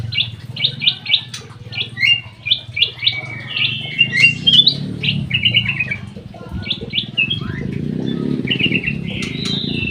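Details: Captive golden bulbul in an aviary singing busily: rapid runs of sharp, clipped chirps and short rising whistles, grouped into bursts with brief pauses, over a low steady hum.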